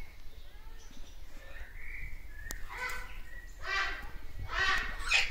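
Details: A captive Crimson rosella (Platycercus elegans) at a Danish bird park on 11 July 2021 gives a soft mid-pitched whistle, then bursts of harsh grating chatter while "talking" with a person. Low rumble throughout.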